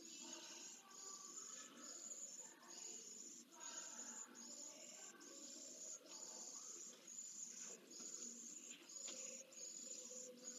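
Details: Pallid swift nestling, sole chick, Jerez de la Frontera, Spain, 2022-09-15, during feeding and wing exercises: faint, hissing, high-pitched buzzy phrases about once a second, with low scuffling sounds.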